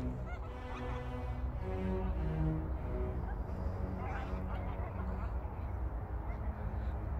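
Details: A flock of roughly 40–50 or more wild geese on rice paddies at New Year, feeding on fallen grain, honks together as it lifts off when approached, a dense overlapping chorus of nasal calls with a man's voice and low rumble.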